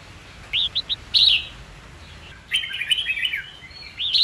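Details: Red-whiskered bulbul song for training young birds in fighting song: three quick rising whistled notes, a loud chirp, then a rapid run of warbled, chattering notes ending in another bright call.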